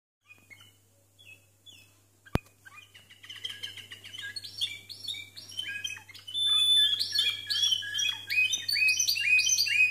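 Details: Timbrado canary singing discontinuous song, birds scored 92 and 93 points: opens with soft, spaced chirps, then builds into loud, choppy bursts of high whistled and metallic notes, broken by a sharp click near two seconds, over a faint low hum.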